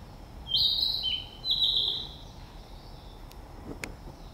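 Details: Narcissus flycatcher song: two clear, high, whistled phrases about a second apart, the first with a falling slur, then quiet with faint clicks.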